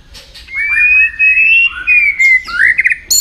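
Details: White-rumped shama trained to sing for contests: long smooth whistled glides rising and falling, overlapping sustained notes, ending with a quick trilled flourish.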